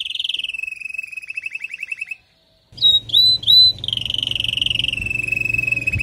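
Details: Female canary calling to prepare and stimulate the male after moulting: a fast buzzy trill, a short pause, then three bright looping whistles and a long steady rattling trill.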